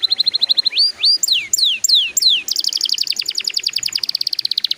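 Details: Canary song meant to get young canaries singing: a brisk series of short high notes, a run of loud drawn-out falling swoops, then an extended steady high trill of rapid repeated notes.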